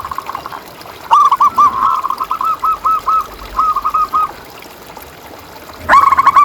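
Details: Zebra dove, a local bird singing freely, used as a lure and master song for quiet caged doves. It gives a steady run of about ten rounded coo notes, then pauses and begins a fresh phrase.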